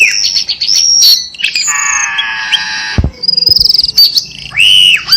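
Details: Cucak keling lure sound meant to stir kept birds into singing: high whistled notes, a sustained harmonic buzzy phrase, then a fast rattling trill and a rising whistle at the end.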